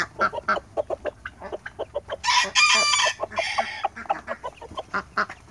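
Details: Small, friendly and docile Japanese Bantam rooster giving a short, harsh, strained crow of about a second, set amid a run of rapid, repeated clucking notes before and after.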